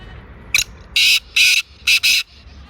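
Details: In Sindh, Pakistan, a black francolin calls loudly: one short note, two drawn-out harsh rasps, then a rapid two-note ending, the whole phrase lasting under two seconds.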